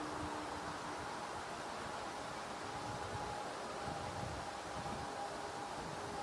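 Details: A soft, even outdoor hiss with a faint steady hum carries on throughout, and no animal voice stands out.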